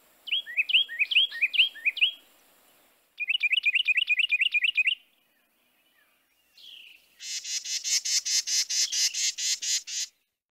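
Carolina Wren: loud, rolling three-note phrases repeated quickly, then a fast run of ringing notes, ending in a harsh, buzzy chatter.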